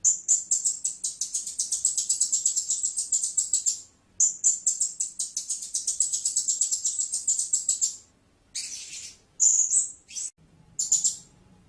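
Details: Blue-crowned hanging parrot calling in long runs of rapid, very high, thin chirping notes, a first series lasting about four seconds, a brief pause, a second run, then several short buzzy squeaks.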